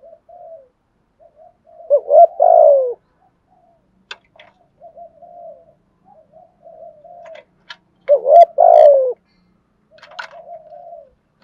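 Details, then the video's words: Spotted dove in 'thúc gù' cooing: soft murmured coos build into a loud, throaty, descending double coo, the sequence repeating about every six seconds, with a few faint clicks between phrases. "chim cu gay thúc gù bài bản nhất hiện nay"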